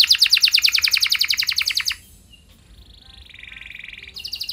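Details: Canary singing to spur other canaries to reply: a loud fast pulsed trill for two seconds, a quiet gap, a soft lower steady trill, then a high trill resuming.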